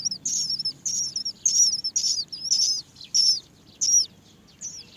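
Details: Many Great myna nestlings begging while they wait for their mother, who cannot find food; shrill, high, falling squeaks come in irregular overlapping bursts, some doubled.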